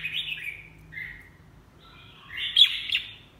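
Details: Red-whiskered bulbul song: a slurred descending phrase, a short lower note, then a louder jumbled whistled burst after a pause.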